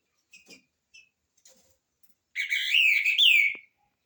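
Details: Rufous-bellied thrush (trinca-ferro de fibra) in the "igualando o rabo" style, giving a loud warbled phrase with a strong falling whistle at the end, after a few faint chips.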